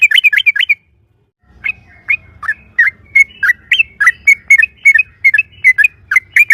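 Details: Yellow-vented bulbul (trucukan) in loud rapid 'ropel' song used as a lure to make other birds sing: a brief burst of bubbly whistled notes, a pause, then sharp slurred whistles repeated about three per second over a low hum.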